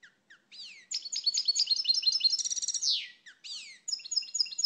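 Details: European goldfinch (Carduelis carduelis) singing a fast, liquid jumble of tinkling twitters and high buzzy trills, notes tumbling several per second with a short rattling burst midway.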